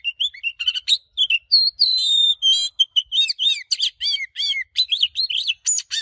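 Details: Oriental magpie-robin in a fired-up 'căng lửa' singing style with varied, switching phrases. A quick run of clear whistled notes and buzzy chirps, some sliding up and some sliding down. The phrases are broken by short pauses, with no other sounds.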